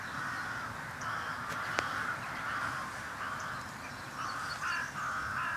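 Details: Large flock of carrion crows (Corvus corone) at a feeding spot on a warm, spring-like February 2021 day give harsh, hoarse caws that run together almost without a break, with one sharp click partway through.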